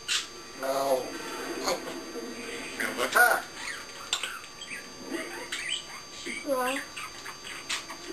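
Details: African grey parrot kept indoors, vocalizing after its owner exits the room: mumbled speech-like phrases, scattered clicks and a curved whistled note toward the end.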